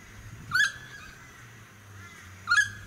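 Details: Noisy friarbird in a suburban area of the Sunshine Coast, Queensland, Australia, in May 2018: two loud, harsh, nasal squawks about two seconds apart, with a steady low hum of suburban noise beneath.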